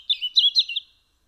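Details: Brief phrase from a European robin singing at a house window in Eibar, Gipuzkoa, December 2019: four quick warbled notes with sliding pitch, then silence.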